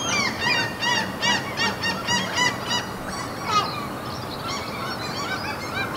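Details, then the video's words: Seagulls by a fjord among mountains in Norway, calling in a crowd: short arched, nasal yelps repeated rapidly in the first three seconds, then thinner, scattered calls over faint background hiss. "NORWAY SEAGULLS FJORD AMBIENT SOUNDS"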